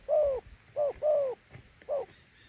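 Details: Short burst of cooing from a Thổ Hú dove: four mellow, gently falling hooted notes, two close together in the middle, with quiet background.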